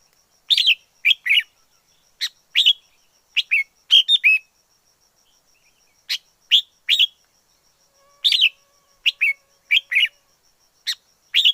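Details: Forest red-whiskered bulbul singing steadily: many short phrases of two or three cheerful slurred whistles, repeated roughly every second with brief gaps, clean and uncluttered.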